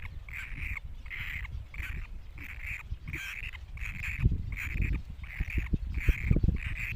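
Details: Ten rasping, nasal squeals from Great cormorant chicks follow one another at a steady pace; thumps and low rumbling noise grow stronger toward the end.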